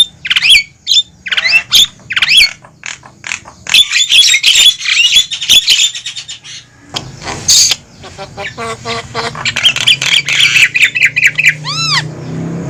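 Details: Javan myna lure call, used to draw wild mynas toward a trap: long stretches of rapid harsh chattering and whistles with a few pauses, ending in a series of arched whistled glides; a low hum is heard throughout.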